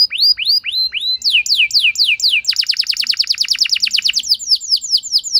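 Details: Canary lure song for stirring a low-spirited canary into extended singing: slow looping whistles, then a quickening sequence of downward-sweeping notes that merges into a fast rolling trill.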